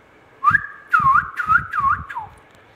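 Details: Indian ringneck parakeet talking: a run of four or five quick voice-like syllables, each carrying a wavering whistled tone, over a quiet indoor background.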